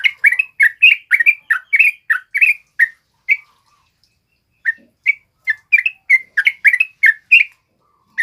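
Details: Male yellow-vented bulbul (trucuk kebo) in full, continuous song, used as a lure and tutor for other birds: bubbly, gurgling two-note phrases in quick bursts, a pause of about a second, then the phrases resume.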